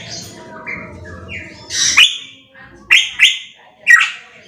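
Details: Pitohui in a loud tutoring recording: thin rising whistles at first, then strong harsh notes that sweep up and slur downward, given in bursts about a second apart, with faint low rumble early on.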